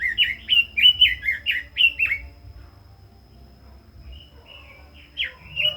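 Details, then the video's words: Caged red-billed leiothrix in fast, lively song, a rapid run of about eight rich down-slurred whistles, then a quiet gap and a few softer whistled notes at the end. "Chim Quế Lâm kích giọng hay, căng lửa - Burung Robin Gacor | Chim Kim Oanh Mỏ Đỏ"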